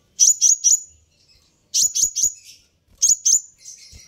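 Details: Loud, sharp high chirps from a sunbird called kolibri ninja, meant to provoke a reply, delivered in three groups of about three notes each, with short silences between the groups.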